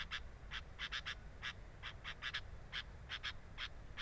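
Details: Camera at a sooty-headed bulbul's nest picks up clipped, scratchy notes, some with a thin whistled edge, given singly or in quick pairs every fraction of a second, over a low hum.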